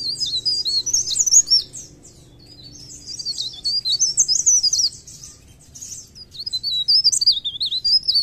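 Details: Mountain leaf warbler (cikrak daun) in full vigorous song, singing high, thin, rapid twittering phrases in bursts of a second or two, with brief pauses between, over a faint low hum.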